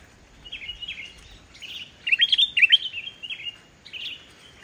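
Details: Sooty-headed bulbul singing vigorously without mimicked inserts, used as a lure for bulbuls slow to sing; soft chirps building into a loud cluster of rapid bubbly upslurred whistles, then trailing quieter notes.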